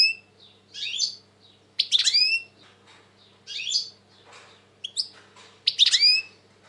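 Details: European goldfinch song, said to be very tense at the moment, in 2020: bright twittering phrases with rising and falling whistled notes in bursts about every two seconds, with a steady low hum beneath.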